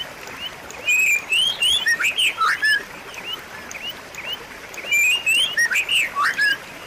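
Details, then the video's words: White-rumped shama song in two vigorous bursts of fluty, warbled whistles and quick chirps, separated by a quieter pause with faint whistling. "pancingan dan masteran murai batu macet bunyi"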